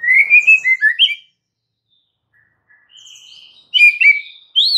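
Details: White-rumped shama lure song, played to make other shamas answer: a burst of loud, varied whistled notes, then a short pause and softer whistles before another rich, rising whistled flourish.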